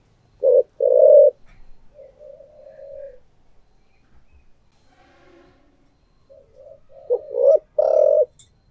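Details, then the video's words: Spotted dove used as a decoy, thổ voice, opening with two firm coos, then soft low murmuring and faint background tones, before a final cluster of loud coos. "cu gáy giọng thổ đặc Mp3/ Tiếng Chim Cu Mồi Giọng Thổ Đặc Sắc"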